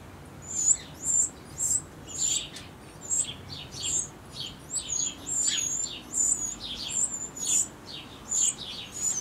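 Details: Eurasian wren chicks being fed by adults before leaving the nest a few hours later. They give very high, thin, squeaky notes in clustered bursts, mixed with short, hissy rustling chatter, then pause between feedings.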